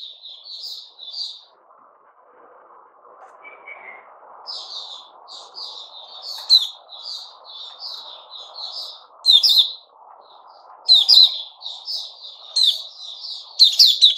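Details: Song of a white-rumped shama, recorded 29 August 2021: quick bursts of sweet whistled notes and sharp chips in repeated phrases, separated by short pauses, with a faint low hum underneath.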